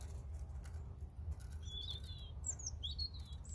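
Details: European robin singing: after a quiet start, thin high whistled phrases with quick up-and-down slides arrive in two bursts, over a steady low rumble.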